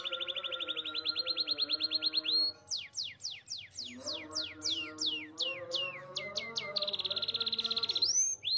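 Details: AF canary, bottle-green, singing a rolling song with melodic variations: rapid buzzy trills, then a run of steeply falling whistled sweeps about two per second, then a fast rolling trill again, over a low steady hum.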